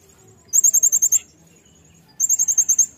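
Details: Brown-throated sunbird in lively 'nembak' singing form, recorded as a tutoring track for cage birds: two bursts of about seven very high, sharp, rapidly repeated notes, separated by a second of quiet.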